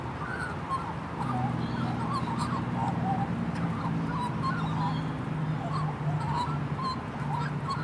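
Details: Juvenile female magpie in a happy mood, giving a steady stream of quiet warbled phrases, short wavering notes strung together with little pause, over a steady low droning hum and background noise.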